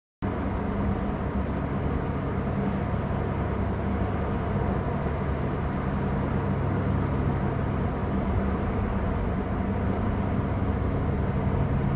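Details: Only a steady broadband rumble like wind or distant traffic throughout, with no animal calls.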